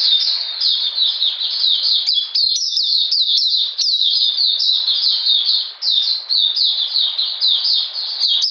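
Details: Cold, rainy weather on 13 June 2020; an Oriental magpie-robin keeps up a fast, continuous chatter of high, sharp notes and brief slurs throughout.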